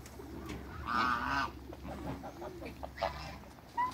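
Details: Backyard African and Toulouse geese giving a loud, drawn-out nasal honk followed by softer honks and a brief call at the end, over low background hum.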